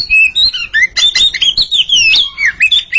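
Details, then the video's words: Oriental magpie-robin pair trading songs, a continuous stream of clear, rich whistles sliding up and down, each phrase short and varied, with fast notes packed closely together. "Sepasang kacer sedang beradu kicauan"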